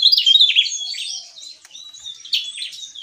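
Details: Javan tesia singing vigorously in ngeplong style: high, thin, rapid twittering and warbled whistles, loud at the start, fading, then a bright renewed burst near the end.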